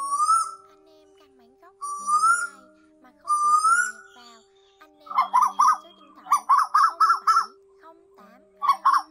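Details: Asian koel, male and female, calling in a lure for night nets during the August 2024 migration: three long rising whistles, then rapid bubbling notes repeated in tight bursts.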